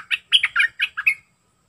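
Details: A wild sooty-headed bulbul sings a fast, jaunty run of about seven rich, warbling notes, the whole phrase over in roughly a second, with a faint low background noise.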